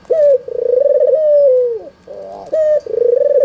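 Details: White albino red-eyed Barbary dove used as a lure to prompt idle doves to call: a long, drawn-out rolling coo of over a second, then shorter throaty coos following close behind.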